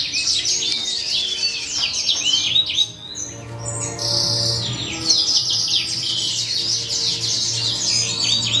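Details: Hand-reared C. frontalis chick; a dense run of squeaky, rapidly rising and falling chirps, nearly continuous, over a steady low hum.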